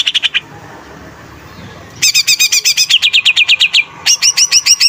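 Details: Short greater green leafbird song bursts: a few chips, a quiet stretch of nearly two seconds, then rapid doubled chirps sliding lower and a final set of high forked notes.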